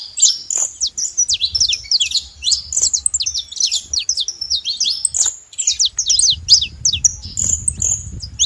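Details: Wild saffron finch singing free in nature: a continuous run of sharp, high chirped notes and quick downslurred slurs, varied phrases tumbling together with brief pauses, light low rumble underneath.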